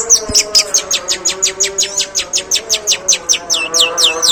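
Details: Long-tailed shrike producing its long, rough sparrow imitation: an unbroken, fast string of harsh, high chirps, about five per second, ending in curling twittered notes.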